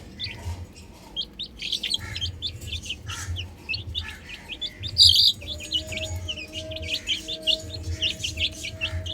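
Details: Chicks playing on a roof, a crowd of quick high peeps overlapping continuously, one louder burst of chirping midway, with a low pulsing hum and a faint steady tone underneath.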